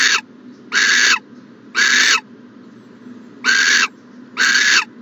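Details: An owl at its nest box on a January 14, 2020 morning repeats a broad, noisy hiss, five bursts with uneven pauses, one longer gap in the middle.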